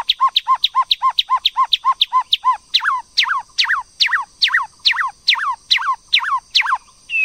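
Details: White-rumped shama, a female stirring up a male to sing: a fast, steady series of short repeated notes that shifts partway into longer, downward-sliding phrases repeated about twice a second.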